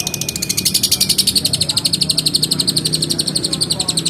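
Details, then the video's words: Lovebird in full voice, singing the long chattering ngekek style: a fast, unbroken run of high, sharp, buzzy notes, about eight a second, held steadily for over four seconds. A faint low hum sits beneath. "SUARA BURUNG LOVEBIRD GACOR NGEKEK PANJANG"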